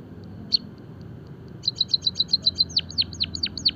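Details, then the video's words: Java sparrow singing for birdsong training: a lone chirp, then a quick rhythmic series of high clicking notes that turns into several sharply falling whistles. "emprit kaji gacor - masteran dan pancingan burung pipit jawa"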